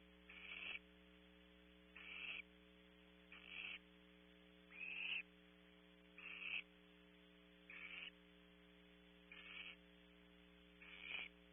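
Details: Barn owl owlet in a nest cavity at a California ranch, picked up by a nest camera: harsh hissing screeches repeated about every one and a half seconds, eight in all, over a constant mains hum.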